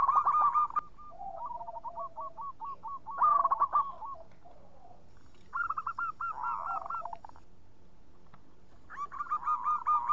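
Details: Clear-toned local zebra dove singing strongly as lure song: bursts of rapid, bubbling staccato coos, separated by quiet pauses, with a lower soft coo underneath and a final loud rolling phrase.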